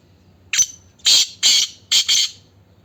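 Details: Black francolin giving four harsh, grating, noisy bursts, the first short and the next ones longer, about half a second apart, over a faint low hum.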